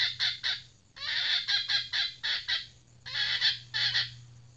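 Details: Female red junglefowl decoy (pikat betina) gives harsh, raspy clucks in uneven groups of two to four, separated by brief pauses, with a low steady electrical hum underneath throughout.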